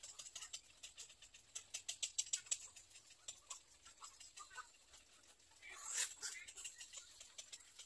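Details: Little egret chick in nest 3: quick irregular ticking chatter of sharp clicks, about three a second, swelling late into a louder rough, hissing squawk burst.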